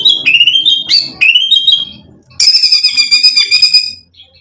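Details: White-rumped shama (murai batu) song used as a lure to provoke and excite other birds: clear, varied whistled phrases sliding upward, then a dense burst of rich, rapidly repeated ringing notes, ending with a faint trailing note.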